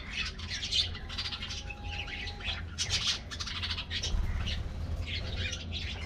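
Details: Colorful budgies in a colony aviary receive their morning diet treat and chatter constantly, with rapid overlapping squeaky chirps and scratchy warbles over a low steady hum.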